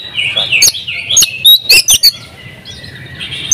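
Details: A champion oriental magpie-robin sings open-beaked in the ngobra style with full fills. The clip holds softer warbled notes, then a few loud sharp chips and a bright whistle, before fading into quieter twittering.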